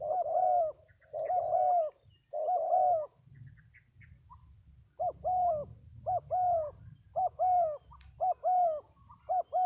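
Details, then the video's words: Spotted dove, a Vietnamese bird kept for calling, giving deep cooing notes in paired short-long units, some as drawn-out coos and others quicker and clipped, with a faint low rumble of background noise. "Cu gáy 67 : Hai Bổi Thổ"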